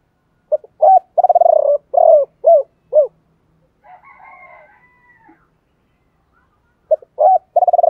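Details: Male and female spotted doves, 'thổ bầu' coo style, a recording used to stimulate trained doves to coo quickly. Low hooting coos and a rapid rattled stretch form one phrase, then soft murmuring, then a new phrase begins.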